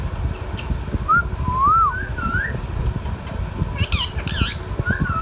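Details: Talking pet Indian ringneck parrot produces a run of soft, looping, wavy whistles, then two harsh, quavering squawks, then another rising whistled phrase; low background rumble and a few clicks.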